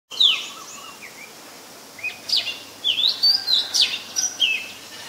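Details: Oriental magpie-robin, a very common resident, recorded in Ubon Ratchathani, Thailand, on 18 April 2022 with a Nikon P1000: a lively run of clear, varied whistles, slurred up and down and quickly repeated, over soft background hiss.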